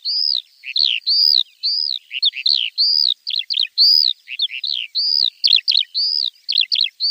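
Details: Javan bush lark song for tutoring untrained cage birds: repeated arched whistles alternating with quick downward slurred chirps, an even call-and-tumble rhythm, clean recording.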